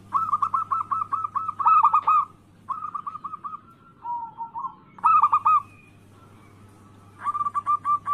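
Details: Lure song of a local-style zebra dove, meant to make rivals call back: bouts of rapid, evenly spaced mellow coos broken by pauses and a lower rolling phrase, over a constant low electrical hum.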